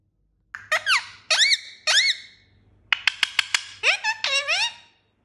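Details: Indian ringneck parakeet speaking three matching shrill, swooping syllables, then a rapid string of sharp clicks and a run of nasal rising-falling words trailing off, indoors with a low hum.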